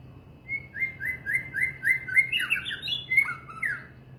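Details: White-rumped shama repeating a clear whistled note about six times at an even pace. It then breaks into a tumbling, varied flourish of higher slurred whistles, over a low background hum.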